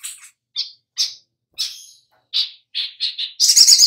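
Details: Little spiderhunter lure recording used to prompt birds to sing: separate sharp high chirps spaced about half a second apart, speeding into a dense rattling burst at the end.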